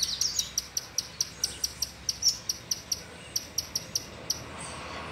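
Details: Loose male double-collared seedeater with a female close by gives a rapid run of crisp, high clicking chips, around three to four per second, pausing briefly midway before resuming, with quiet hiss behind.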